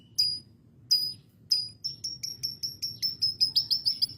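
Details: Lovebird-style fill-in from a canary: isolated piercing high chips that speed up into a steady rapid string of repeated squeaky notes.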